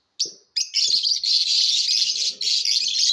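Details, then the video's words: Lovebirds chirping in a competition, a dense, continuous stream of shrill, high chirps and squeaky twitters running almost without pause after two short opening notes. "Love BIRDS ChAPRING SOUNDS COMPETITION"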